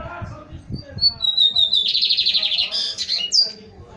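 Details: Young, promising male Lined Seedeater finishing its moult, singing: a thin high whistle leading into a fast buzzy trill of repeated notes, ending in a sharp upslurred note, with faint low voices and thumps underneath.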